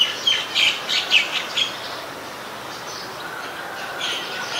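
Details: White-vented myna recorded in Ubon Ratchathani, Thailand, on 29 December 2019: a quick run of six or seven sharp, squeaky high notes in the first second and a half, then only a steady background hiss.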